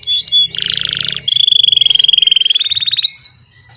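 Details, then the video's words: A domestic Belgian canary sings a "bell" song: a bright, high trill, a rapid buzzy run of notes that turns into a fast, bell-like repeated rattle, with no other sounds. "Canário belga doméstico cantando campainha/domestic Belgian canary singing bell"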